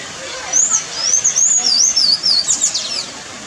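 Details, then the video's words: A Sayaca tanager (Thraupis sayaca) in the Pantanal sings a thin, very high, squeaky twitter of quick wavering notes, rising and falling for about three seconds over faint background hiss. "Sanhaçu-cinzento cantando"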